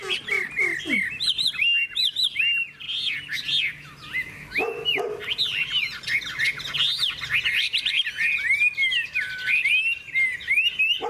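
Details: Contest singing from a golden, big-tailed Hwamei: a dense run of loud, varied whistled notes sliding up and down, with one short harsh burst midway.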